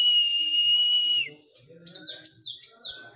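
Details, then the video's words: White-rumped shama song during physical training after moulting: a long loud steady whistle, then a short pause and repeated sharp descending high phrases with faint low rustling. "KACER PRO HYPER LATIHAN FISIK PASKA MABUNG"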